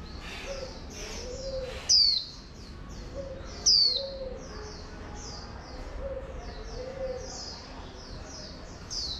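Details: Female oriental white-eye calling to stir a wild-caught male into líu song: thin high notes sweeping downward, repeated irregularly, with two louder sharp notes near two and four seconds and soft low cooing from a dove beneath.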